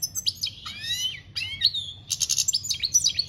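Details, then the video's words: European goldfinch song from 2021, campero style: liquid slurred whistles sliding up and down, followed by a busy burst of rapid tinkling twitters and short chirps. "Goldfinch singing - Jilguero Cantando Campero - Chant Chardonneret"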